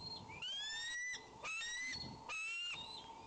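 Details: Eaglet at a nest with an intruder nearby, Fort St Vrain, 17 May: three long, drawn-out wheezing cries, each rising slightly, with high, thin, squealing overtones, repeated about once a second.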